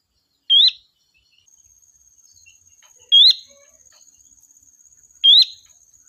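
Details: Sooty-headed bulbul calling the flock as a lure: three brief upslurred whistles spaced two to three seconds apart over a thin, steady high insect whine.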